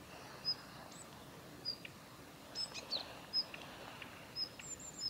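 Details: Female Daurian redstart at the Kitafuji training area, Japan, 7 November 2021, giving short high whistles mixed with rapid clicking tacks at an irregular pace over steady ambient noise.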